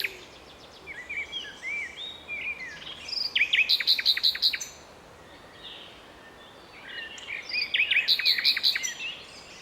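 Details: Common nightingale singing in a city park in Strzelce Opolskie, Poland, in May 2012: two phrases of varied whistles and slurred notes that build into bursts of rapid, sharp repeated notes, separated by a short pause, over faint background noise.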